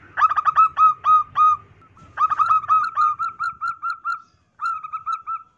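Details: Calling female zebra dove, used to lure males: a rapid, ringing run of clipped coos, a short break, another stuttering burst settling into steady repeated notes, then a final brief run.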